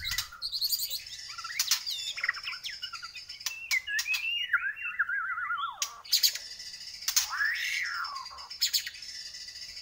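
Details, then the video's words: Bornean white-rumped shama singing a busy varied song: warbled rising and falling phrases, a wavering descending whistle, sharp clicks and a looping arched note over steady high background hiss. "Murai Borneo Gacor"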